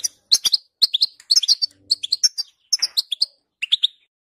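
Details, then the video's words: European goldfinch song for prompting another goldfinch to sing, about two quick twittering bursts per second early on, then sparser chirps and a short trill, with clean quiet background. "10 Minutes To Make Your Goldfinch To Sing!"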